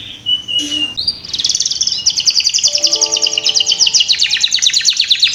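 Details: Kept canary singing a lure song intended to stimulate young birds to start singing: after a few short high notes, a long, rapid, pulsing trill runs on, with faint steady low tones beneath.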